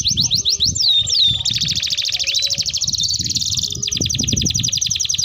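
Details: Canary rolling song for luring and tutoring young canaries: high sliding whistles, then a dense rattling trill and a fast chipping roll, continuous, over faint low background noise.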